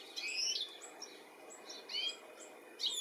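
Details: European goldfinch, stated to be a male looking for its young, in the UK on 13 July 2017: a few short, high chirping notes, some bent upward and others downward, spaced unevenly over three seconds with a faint background hiss.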